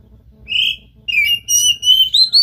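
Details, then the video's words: Kacer, the Oriental magpie-robin, singing to provoke another bird into song: a short whistled note, a pause, then a long series of pure sliding whistles that climb gradually higher, with overtones above and low hum in the background. "JANGAN BIARKAN KACER ANDA MEMBISU pacing DENGAN KACER GACOR INI"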